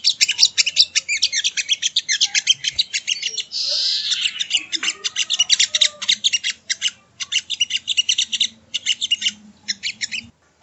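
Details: Sogon bird (sogo ontong), recorded for training other birds: a long run of rapid, sharp chirps, a brief buzzy burst, then more fast chattering before fading out.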